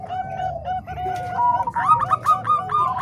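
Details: Zebra doves, a combination of Bangkok and cemani kolbuntet types used as training song, give soft, mellow cooing notes in quick staccato runs, rising and falling, with more than one bird calling over a low hum.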